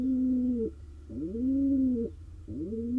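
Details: Courting male pigeon in a nest box in Israel, wild; low moaning coos that rise, level off and drop abruptly, three in quick succession over a low background hum.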